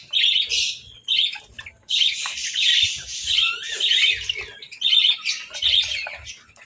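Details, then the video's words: Budgies breakfasting on boiled eggs and bread in the winter chill pour out loud, rapid warbled chirping in clustered phrases separated by short pauses. "Breakfast Serenade: Budgies' Melodic Chirps over Boiled Eggs and Breads"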